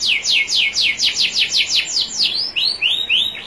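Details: Training song of a national champion canary, with clear trickling water: rapid high notes sweep downward in an even series, then shift into slower arched whistles near the end.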